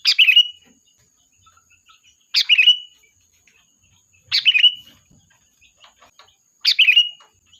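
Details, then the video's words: Energetic sooty-headed bulbul lure song for summoning the flock: four short bubbly phrases, each a burst of chirps ending in a slurred whistle, repeated about every two seconds over faint ticking. "Suara Burung Kutilang Gacor, Pikat handal memanggil kawanan"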